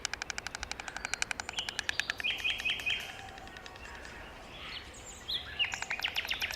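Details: A voiceless White Stork clatters its bill, a call expressing joy, alarm or love and heard in spring: a rapid, wooden rattle lasting about three seconds, then fading as smaller birds chirp and whistle.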